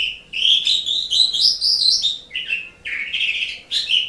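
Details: Asian pied starling song used as a tutor recording for pet songbirds: busy bursts of squeaky, chattering whistled notes, some rising, grouped in phrases with short pauses.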